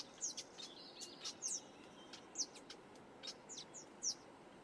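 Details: Black-headed weaver repairing its nest at Quinta do Lago, Portugal, giving a scattered series of thin, sharp, high chirps and short downslurred notes, about two or three a second, over a soft background hiss.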